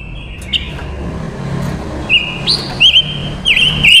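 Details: Female silver-eared mesia used as a lure bird, singing to call in wild males: clear, level whistles, some slurring up or down, in a quick run of notes over a low traffic rumble.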